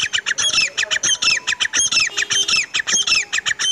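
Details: Loud, harsh partridge calls in fine weather, a fast unbroken run of sharp, ringing notes repeated several times per second throughout, with squeaky upper tones.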